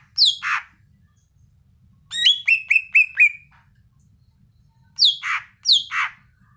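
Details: Cucak ijo, the Greater green leafbird, singing actively: a harsh downslurred squawk, then a quick run of five ringing whistled notes falling in pitch, followed by two more rasping downslurred squawks.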